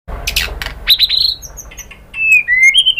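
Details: White-rumped shama song, used as a lure recording to prompt other shamas to sing back: sharp clicks open, then a pure whistled note held steady, a short pause, and clear whistles sliding down and back up.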